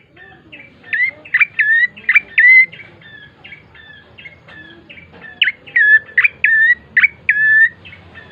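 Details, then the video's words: Bar-winged prinia lure song for coaxing birds to sing, bursts of rapid high chirps with upswept endings, grouped in two loud runs separated by softer notes, over a faint low hum. "pancingan prenjak coki GACOR❗ agar cepat bunyi"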